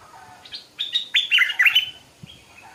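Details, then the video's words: Stripe-throated bulbul, a small caged decoy bird, singing in the morning: a lively burst of bubbly, warbled notes, rising and falling quickly, after a quiet start. "เสียงนกดอกแตงEp.142 กินกาแฟฟังเสียงนกต่อเจ้าตัวเล็กยามเช้า(Stripe-throated Bulbul)"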